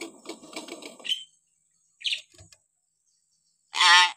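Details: Hill myna voice variations used as a master recording for training young, stalled or lazy mynas: a rapid run of buzzy pulses ending in a sharp chirp, a short high note, then a loud harsh rasping squawk.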